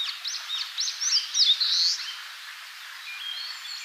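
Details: Wild Eastern crowned warbler singing in Tainai, Japan: a phrase of quick high zigzag notes ending in a strong wheezy buzz, its "chiyo chiyo bii" song, followed by faint distant chirps and thin whistles.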